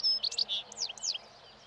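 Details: European goldfinch in the wild, feeding on old thistle seeds at a roadside as spring nears and breeding song begins; a short burst of bright, liquid twittering notes and quick downslurred chirps, then quiet.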